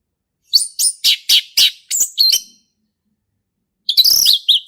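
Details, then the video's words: Male orange-headed thrush in lively ngeplong song, played to teach young birds: a steady series of about seven loud, sharp, down-slurred notes roughly every quarter second, then after a pause a rich warbled whistle phrase. "SUARA ASLI HUTAN ANIS MERAH JANTAN GACOR NGEPLONG"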